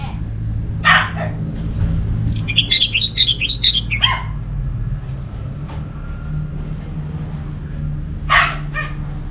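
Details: Orange-headed thrush kept in Singaraja, Bali, used as a lure to make other thrushes sing: a harsh burst, then a rapid sequence of high warbled notes for two seconds, a later broad rasp, over steady low engine-like rumble.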